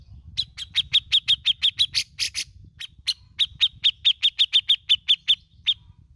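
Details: Grey-cheeked bulbul (cucak jenggot) in besetan and ngepik style: long runs of rapid, sharp, evenly spaced chips broken by a few harsh rasping bursts, with a low droning hum underneath.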